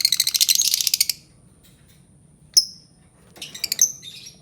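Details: Albino lovebird giving a fast rattling chatter of shrill notes for about a second, then a single piercing chirp and a short squeaky, scratchy phrase after a pause.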